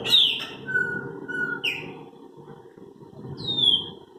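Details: Chopi blackbirds in song, giving a sharp descending whistle, then two level whistled tones, a short upward-slurred note, and a final long falling whistle, all over faint low background hum.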